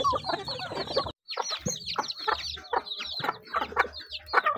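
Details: Chickens eating: a dense chorus of high, thin downward-slurred peeps from many birds, mixed with sharp pecking clicks and soft clucks, with one brief silent gap just after the first second.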